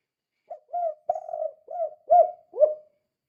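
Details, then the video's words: Spotted dove calling in the energetic 'kuk 2' style used to draw other doves into answering: a short note, then four deep, arched coos with a wavering, rolled third coo, plus a faint click or two in an otherwise still setting. "Suara Burung Tekukur Gacor Kuk 2"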